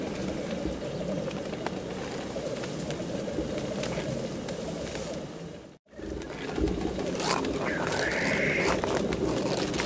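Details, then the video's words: Black grouse displaying at a lek: a steady, low bubbling coo that rolls on without pause, with a brief break in the middle and a faint higher note later. "Le parate del fagiano di monte"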